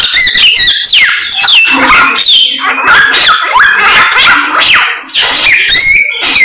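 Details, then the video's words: Samyong bird giving a hectic, high-pitched song of steep descending whistles, sharp squeaks and buzzy notes in rapid succession, with a brief dip near the end. "BURUNG SAMYONG GACOR, ADUHAI SUARANYA MANTAP"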